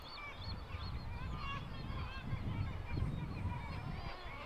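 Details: Black-legged kittiwake colony on a harbour wall at Staithes, Yorkshire, with young birds and a courting adult pair; many nasal, wailing calls overlap in constant chatter over a low rumble of wind or harbour noise.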